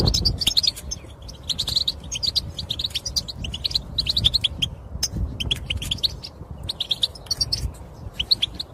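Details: European goldfinch song and mating calls used to spur males into song: lively tinkling twitters and rapid chirps in repeated bursts, with brief gaps between phrases.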